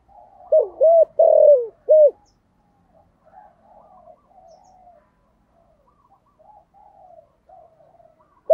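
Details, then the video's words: Spotted dove, cu gáy, in a thunderous 'thổ' voice, calling loudly enough to ring through the hamlet. One phrase of four mellow coos opens the recording. Softer, wavering notes and faint background chirps follow, and a new coo starts at the end. "cu gáy giọng thổ sấm gáy gọi cực đỉnh vang cả xóm"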